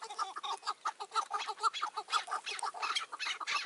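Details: Chukar partridge calling during a May 2024 decoy partridge hunt, where a wary old wild bird would not approach. Harsh chucking notes repeat about twice a second in a steady, pulsing run.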